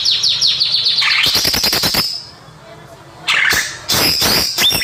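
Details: Greater green leafbird singing, a natural recording for luring young birds: quick falling slurred notes in series, a rapid rattling burst, a short pause, then more energetic chattering and whistled phrases.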